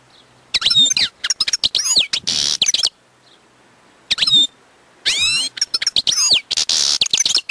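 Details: Wild European goldfinch in full song, a dense, tumbling run of liquid twitters mixed with harsh buzzy rasps, falling quiet for a moment before another energetic burst.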